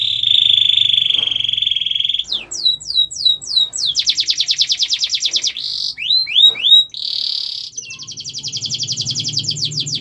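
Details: Canary song used as a master recording for training other birds to sing: a long steady high trill, then repeated swooping whistles and fast rolling trills, with a low hum underneath.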